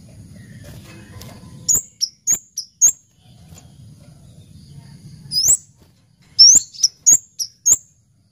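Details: Kemade, the orange-headed thrush, in lively cabe-cabean song: quick strings of piercing high chirps in two bursts, each note short and slightly slurred, with low rumbling noise between phrases.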